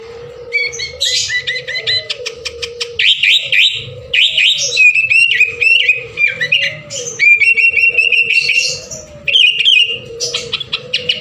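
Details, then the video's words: Sooty-headed bulbul in full, prolific song, used to prompt other birds to sing: a busy stream of rapid chattering notes, short trills and bright whistled phrases with few gaps, over a steady low droning hum throughout. "suara burung kutilang keboh ful gacor cocok buat pancingan"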